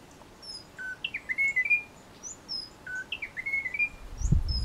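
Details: Munchique wood wren, endemic to Colombia's Western Cordillera, recorded in Tatamá Natural Park: two matching whistled phrases, each a low note then rising and warbling tones, with faint high whistles and a brief thump at the end.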